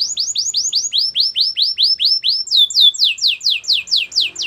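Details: Canary singing, for training other canaries: clear downward-slurred whistled notes repeated about four times a second, switching partway to a higher, faster series of swoops.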